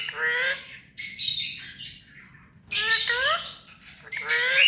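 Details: Pet rose-ringed parakeet, hand-tame, uttering three bursts of layered, nasal rising calls followed by harsh hissy squawks, roughly every one and a half seconds, over a low indoor hum.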